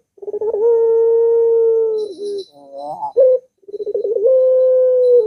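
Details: Long-voiced Barbary dove (puter) used to get a reluctant dove singing: a long held tone, a wavering rising phrase with a clipped coo, then stuttered pulses into another long tone; faint high ticks overhead.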